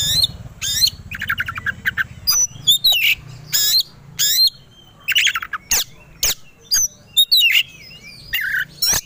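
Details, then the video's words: Kacer (Oriental magpie-robin) singing to trigger a rival's aggression: harsh squawking bursts and descending note clusters mixed with thin twisting whistles, a low hum behind the opening seconds. "Pancingan Kacer Agar Cepat Emosi Gacor 3 || Super Gacor Langsung Tarung"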